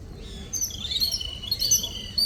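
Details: Brief, bright twittering from little morning-visitor birds: a few high, sliding chirp notes close together over a soft background hiss.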